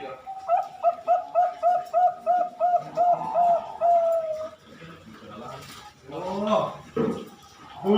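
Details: Four-month-old Bangkok-type zebra dove, hatched 22 June 2021 and bred at a bird farm in Pasuruan, East Java, Indonesia: a run of about eight even, staccato coos followed by a drawn-out rolling note, then voices and handling noises.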